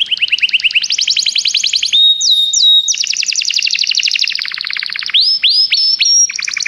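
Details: Continuous canary song of varied rapid trills, rolling tours and brief sustained whistles, changing pattern every second or two.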